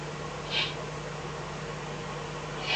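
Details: Eurasian eagle-owl, Eifel, night of 24 May 2014 between 03:40 and 04:18, after a fox was brought as food. A short airy hiss, then another beginning two seconds later at the very end, over a low hum.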